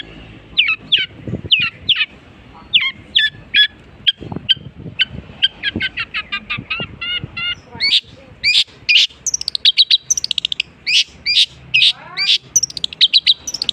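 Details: Long-tailed shrike imitating other birds, pouring out a long, varied series of sharp swooping whistles, then faster trills, squeaky chirps and descending slurred notes toward the end.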